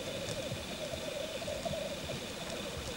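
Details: Male black grouse displaying at a courtship lek: a steady, low bubbling coo rolls on without a break for the whole three seconds, with faint background noise.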